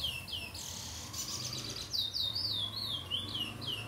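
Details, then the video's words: Captive chestnut-bellied seed finch singing slowly in late afternoon around 17:30 on 8 September 2022, a run of clear, sweet, high whistled notes, slurred and swooping, about four a second, over faint background hiss. "CURIÓ E SUA BELÍSSIMAS NOTAS!"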